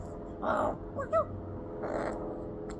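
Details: Rook on a wall, pecking between chirping and squawking: two harsh, hoarse caws about one and a half seconds apart, with a pair of brief clear chirps between them, low background hum throughout.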